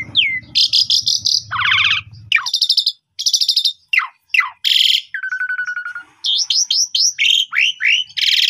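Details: Afternoon lure song of an Asian pied starling for training young birds: varied medley of grating trills, descending swoops, harsh bursts and a level whistled note, with a low rumble under the opening seconds.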